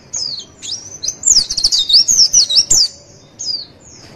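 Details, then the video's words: Javan white-eye singing a tutor and lure song for training birds to respond: one long burst of quick, high, jumbled twitters and trills, with a brief opening phrase and a short closing note. "MASTERAN DAN PANCINGAN PLECI DIJAMIN NYAUT DAN NGREKAM"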